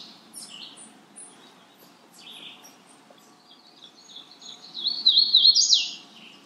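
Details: Magnolia warbler delivering one short, high phrase of slurred, wavering notes near the end, after several faint scattered chirps over a low background hiss.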